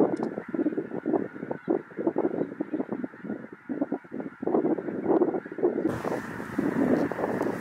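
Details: A huge flock of Snow Geese from the Arctic descending into an Illinois cornfield near Indiana, a continuous din of countless honking birds, with wind rushing over the microphone in the final seconds.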